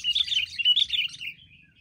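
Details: Wild sooty-headed bulbul attacking with others, giving one loud burst of quick, bubbly chirping notes that fades out after about a second.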